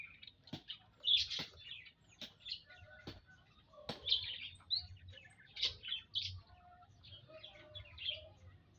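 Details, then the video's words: A flock of munias in an aviary on 19 April 2025: busy high chirping and twittering, short bright notes overlapping from several birds, broken by sharp clicks and wing flutters. "Kumpulan Burung - Burung Emprit"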